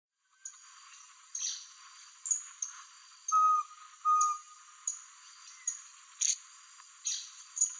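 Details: Least Pygmy-Owl recorded with a Nikon P900 at Angra dos Reis, Rio de Janeiro: a pair of steady, clear whistled notes near the middle, over constant high hiss and scattered faint ticks.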